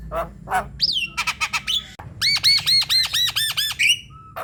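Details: Javan myna in full song, used to coax other mynas into calling: rough chattering notes, a rising whistle, then a rapid series of about nine loud, ringing arched notes and a short flat whistle.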